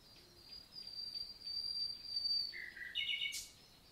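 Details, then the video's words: Summer morning nightingale in a forest of Lot, southern France: a long thin high whistle, then a short low-pitched phrase and a quick buzzy flourish. "NIGHTINGALE MORNING SONG"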